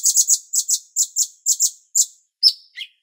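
A bulbul gives a quick series of high, sharp chirps, about two a second. A thin whistle and a falling note end the phrase. No other sounds are heard.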